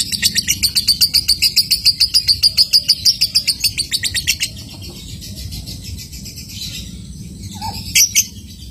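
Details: Lovebird chattering to set off other lovebirds: a rapid train of sharp, evenly pulsed high notes for about four seconds, then near quiet with a low murmur and a couple of loud shrill chirps near the end.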